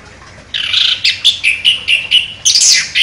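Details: Chestnut-capped thrush, a contest champion songbird, singing sharply: a burst of bright chattering notes, then a series of short whistled phrases repeated about every quarter second, ending in a dense high twittering flourish.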